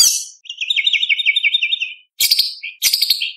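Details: Lively White-rumped shama song of competition material used for tutoring young speckled birds: a quick, even warbling trill of repeated notes lasting about one and a half seconds, then two short, harsh chattering bursts.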